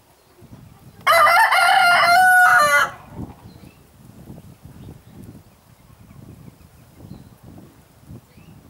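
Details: Red-saddled Yokohama rooster with hens in Holland: one loud, sustained crow of under two seconds, harsh and buzzy with a flat drawn-out middle and falling end, over soft low rustling.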